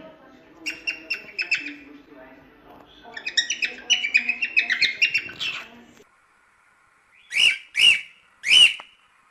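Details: Cockatiel sounds for cockatiel singing training: a soft, rapid chattering warble building in loudness, a brief silence, then three loud, separate arched squawks.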